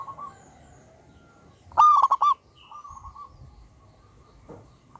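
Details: Loud local wild-type zebra dove used as a lure gives one quick rolling phrase of staccato coos with a long ringing finish, framed by softer low cooing and faint background noise.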